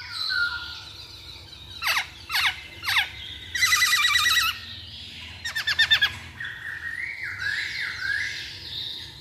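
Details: Masked laughingthrush used as a lure to spur other birds: sharp downward whistles in a short series, harsh buzzy bursts, a quick rattle of clicking notes, then softer rising whistles.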